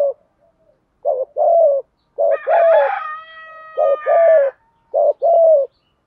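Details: Spotted dove cooing to stimulate calling and breeding: repeated pairs of low hoarse coos, interrupted midway by a loud harsh drawn-out note rich in overtones, then further paired coos.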